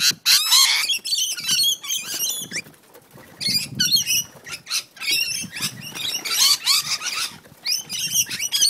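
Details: Rainbow lorikeets fighting in a back yard on the Central Coast of New South Wales: frantic harsh screeches and chatter mixed with wing flutters and scuffling thumps, bursts coming in rapid succession.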